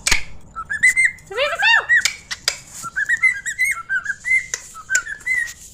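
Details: Cockatiel kept as a pet, copying its owner's whistled tune: a run of bright, rising and falling whistled notes in quick phrases, one rich sweeping whistle early on, and occasional sharp clicks.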